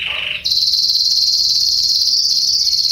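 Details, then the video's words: Young Belgian canary in loud song: a brief lower rolled note gives way to a long, intense, steady high trill, rapidly pulsed and sustained to the end. "canario belga novo cantando bonito"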